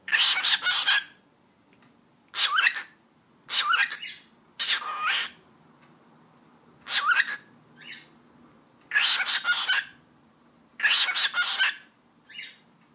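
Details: Home cockatiel talking, repeating the Turkish words "eşek sıpası" over and over: about ten harsh, breathy bursts with little squeaky rising tones, some short and soft, steady pauses between them, indoors.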